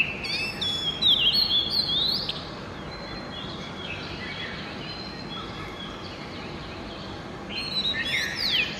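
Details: Early-morning Oriental magpie-robin song: a loud cluster of sweet whistled and scratchy notes opens, followed by faint, distant phrases under steady hiss, and a short bright burst of song near the end.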